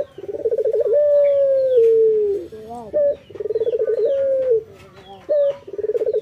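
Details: Morning song of a male local puter dove: pulsing, rolling purrs each leading into a long, smooth, low coo that falls slightly, then a brief upward-flicking note. Soft chirps of other small birds are heard in between.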